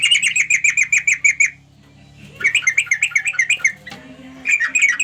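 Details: Yellow-vented bulbul calling to its companions: bursts of rapid, bright chirping notes, about eight per second, in three runs separated by brief pauses, with a faint low hum behind.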